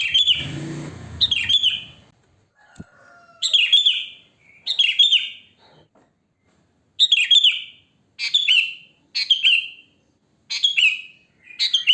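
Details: Wild sooty-headed bulbul, natural song used as a lure for other bulbuls; short bright phrases dropping from high to lower pitch, repeated with gaps, a brief rustling burst at the start and a faint thin whistle.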